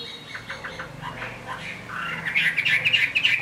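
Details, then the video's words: Chinese hwamei singing in the rain, a kept bird: faint, muffled notes at first, then a brighter rapid chattering trill builds over the last second. "Họa mi hót trong mưa"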